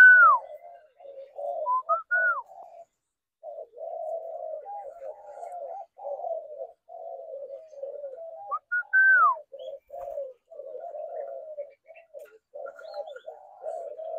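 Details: Spotted doves cooing: soft, low, throaty coos in short repeated phrases, interrupted twice by a higher clear whistled slur that rises and then falls.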